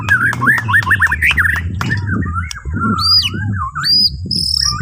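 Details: Morning song of a Borneo white-rumped shama, used to coax other birds to sing: a run of looping whistled notes repeated several times, then long clear rising and falling whistles above a constant low hum.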